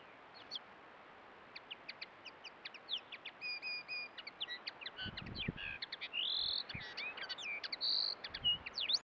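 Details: Camera-trapped male common linnet in breeding plumage singing: a quick, varied twitter of high chirps, short trills and nasal buzzy notes, with a couple of dull low thumps partway through.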